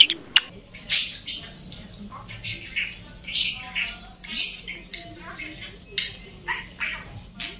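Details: Talking pet budgie that learns and repeats speech heard around it: soft, high-pitched chattered phrases, short bursts spaced a second or so apart with faint sharp clicks.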